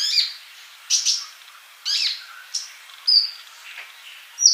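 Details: Male sunbird in song, kept to tutor young birds that are still silent: spaced, scratchy high chirps about one per second, ending in brief piercing whistles.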